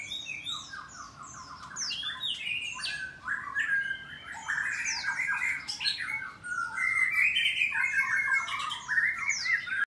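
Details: Morning song of captive white-rumped shamas kept for breeding in Bogor, Indonesia: busy overlapping streams of sharp chirps, scratchy squawks and brief whistled notes, strongest and densest toward the end, with birds singing nearly without pause.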